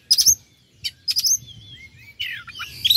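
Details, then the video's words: Oriental magpie-robin song meant to excite rival birds: a few sharp high chips, a thin gliding whistle, then a rising burst of squeaky warbled notes. "pancingan kacer agar respo gacor.. kacer ini mampu meningkatkan emosi lawan"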